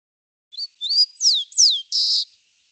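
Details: A Rufous-collared Sparrow (chincol), an urban bird heard at an office, sings a quick high phrase: two rising whistles, two clear downslurred notes, then a short dry buzzy trill, all in under two seconds.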